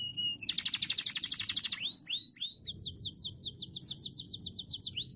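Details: Canary song for prompting other canaries to sing, opening with a loud pulsed trill, then arched whistles and a long quick series of falling notes, over low background hum.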